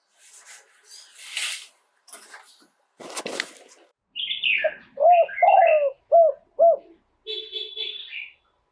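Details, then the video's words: Spotted dove cooing live in 'throw two kuk' style. Rustling, knocks and a high chirp come first, then a phrase of low hollow coos with one drawn note, and more chirping afterward. "โยน 2 กุก คารมเด็ด เสียงนกเขาใหญ่ ขันสด"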